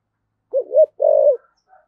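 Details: Decoy-calling Spotted dove with the 'thổ sấm' voice: a brief two-note hoot leading into a long, even, burry coo that sinks at the end, then a faint distant chirp.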